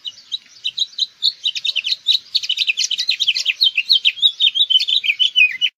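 A house finch sings a long, rambling warble of quick, bright twittering notes, rising and falling and growing busier, with no other sounds.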